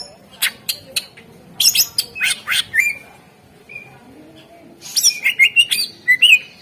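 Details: Greater green leafbird singing as a lure to get other birds singing: loud clusters of sharp chips and buzzy squeaks, a short lull with a single whistle, then another fast flurry of piercing slurred whistles.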